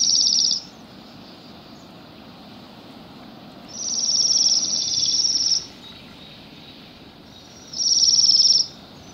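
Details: Bohemian waxwings feeding on rowan berries on an overcast December day in a roadside yard in Pushkin, Saint Petersburg, Russia; high, thin trilled calls come in bursts of about one to two seconds, separated by quiet gaps with low background hum.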